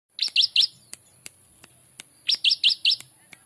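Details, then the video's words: Trained prinia singing in the style of ciblek: two bursts of four sharp, high chirps, separated by scattered faint clicks and ticks. "masteran handal prejak atas rasa ciblek"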